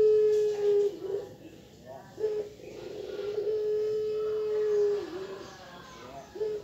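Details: Captive Barbary (ringneck) dove in the morning giving long, steady, mid-pitched wailing notes with brief dips between them, much like a child crying, while a person speaks quietly in the background.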